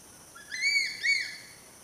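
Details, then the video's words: A crested serpent eagle in Rajaji National Park, Uttarakhand, India, gives two loud, ringing whistled notes, each slurred and slightly falling, about half a second apart, over a quiet background. "Crested serpent eagle call"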